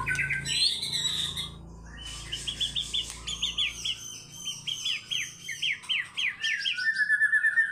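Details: White-rumped shama fighter-style song: a high opening flourish, then a steady series of quick downslurred notes repeated about three per second, ending on a clear held whistle.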